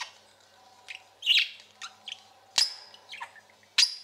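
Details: Caged pet parakeet giving scattered short chirps and a couple of sharp high whistled notes over about four seconds, with quiet pauses between and a faint steady tone underneath.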